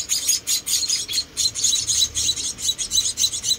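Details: Four rescued munia chicks being hand-fed, giving shrill, high-pitched cheeping calls in rapid, overlapping pulses several times a second, loud and continuous throughout.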